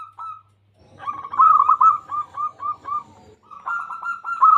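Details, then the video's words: A local zebra dove singing to lure other doves into calling. A brief coo opens, then comes a run of evenly spaced, bubbling notes slowing toward its end, followed by another rapid trilled phrase. "Perkutut Lokal Gacor Suara Paling Ampuh Untuk Pancingan Burung Perkutut Agar Bunyi"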